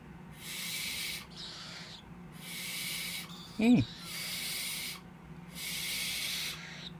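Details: Captive young tropical screech owlets, three chicks hatched on 6 and 7 March 2014, give breathy broadband hisses in bursts about a second long, repeated every second or so, with one brief louder sharp sound midway.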